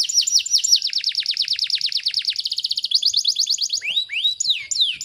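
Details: Canary tutor song, 'tembakan rapat' style: a long steady train of quick falling notes, shifting to a faster higher series, then a few slower rising and falling swoops.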